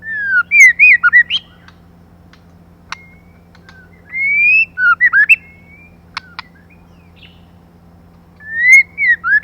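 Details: Female white-rumped shama, used as a lure to stimulate males, loudly gives bursts of rich whistles mixed with sharp chips and quick warbled notes, phrases separated by short pauses.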